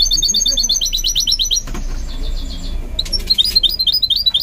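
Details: Goldfinch mule being trained to sing: rapid high twittering trills of repeated notes, a brief pause with a wing flutter, then quick upslurred chirps resume.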